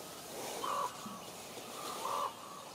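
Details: Two harsh, drawn-out croaks from common ravens talking in Juneau, Alaska, each about a quarter second, separated by over a second of faint hiss.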